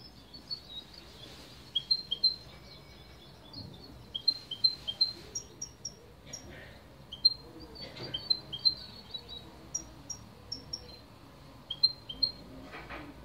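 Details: European goldfinch from Spain in song, delivering rapid runs of high, sharp tinkling notes repeated in quick clusters, with brief pauses between phrases, set against a soft background hiss.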